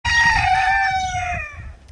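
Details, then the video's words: Chicken calling: a single loud, drawn-out harmonic note that slides slowly downward and fades over about a second and a half. "chicken sound high quality"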